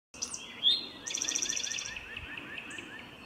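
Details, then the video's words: A male Eastern Towhee sings in a forest on an early spring day: a short, clear rising note, then a rapid buzzy trill lasting about a second, trailing into softer repeated chips. "Eastern Towhee"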